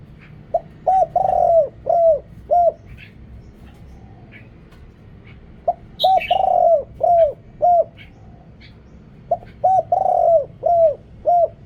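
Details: Spotted dove, a decoy bird with a deep voice, cooing to lure wild doves. Noise-reduced recording. Three phrases of mellow, arched coos, each a short lead-in followed by a long drawn coo and two to three clipped notes. Faint chirps from small birds can be heard between phrases.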